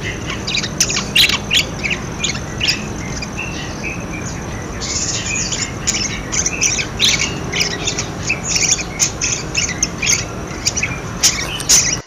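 Budgerigars chatter nonstop: a dense stream of high, scratchy warbles and chirps, broken by sharp squawks every second or so, with a low background hum.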